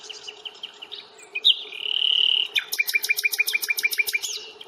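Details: Common nightingale singing on a reserve walk at Fingringhoe on 1 May: a long sustained whistle, then a rapid, loud chattering burst of repeated notes, about 200 per minute, high and full.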